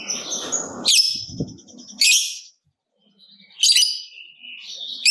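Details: Lovebird kept as a prompt for other lovebirds, giving harsh, scratchy, high screeches in short bursts with pauses between, over some rough low background noise at the start.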